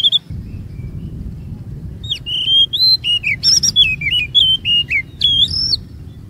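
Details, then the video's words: Magpie-robin lure song: after a quiet start, a quick series of short, sweet whistles jumping up and down in pitch, roughly three notes a second, with a low hum underneath. "EFEKTIF MEMANCING KACER NGEROL DAN BONGKAR ISIAN"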